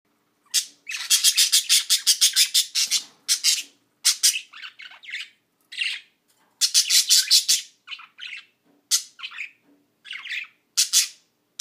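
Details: A white female budgerigar gives rapid, raspy chattering bursts and squawks trying to attract the attention of a blue male, who is already partnered with another bird and appears uninterested.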